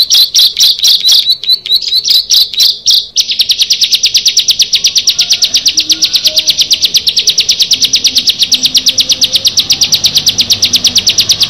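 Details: Bar-winged prinia, one of six birds meeting: spaced high chirps for three seconds, then a sudden switch to a fast, even, machine-like run of rapid notes.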